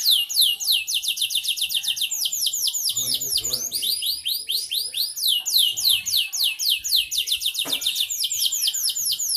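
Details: Kalitan-style canary singing vigorously: a continuous torrent of fast, high, sweeping notes repeated in rolling trills with no pauses. Faint human voices and a soft low background hum sit underneath.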